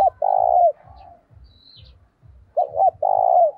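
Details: Spotted dove, a decoy bird in training, calling energetically to lure wild doves with an urging "thúc" voice: a rapid pair of short coos and a longer coo, a pause, then two quick notes and a long drawn coo, over a steady low thumping.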